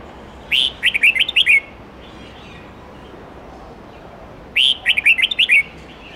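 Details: Red-whiskered bulbul with many-voiced forest-style song for teaching young birds: two matching phrases about four seconds apart, each a loud slurred whistle followed by a quick string of six bright, jerky notes.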